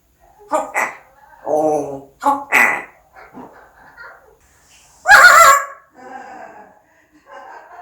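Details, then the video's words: Pet parrot talking indoors, phrases such as "ABC", "subscribe", "like" and "thank you" in Korean; several short bursts of speech-like syllables with a sharp, bright exclamation after a two-second pause, then softer muttering. "앵무새똘이ABC 구독ABC 좋아요ABC 고맙습니다ABC"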